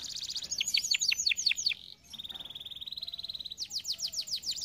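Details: Canary singing for training canaries: a series of looping down-swept notes, a sharp break, a smooth even lower trill, then a return to quick looping high notes.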